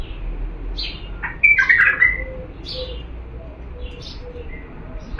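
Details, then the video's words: Diyala bulbul song used for teaching chicks: a few scattered whistled notes and one rich warbled burst in the middle, followed by softer high slurs against a low steady hum. "افضل تغريد بلبل ديالى الاصيل لتخريج الافراخ بدون اخطاء صوت صافي"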